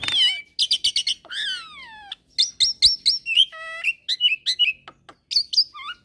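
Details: Black-collared starling in a mix with Nias myna and hybrid song, singing energetically: falling slurred whistles, rapid repeated chips and a tonal note with clear overtones, followed by scattered chirps.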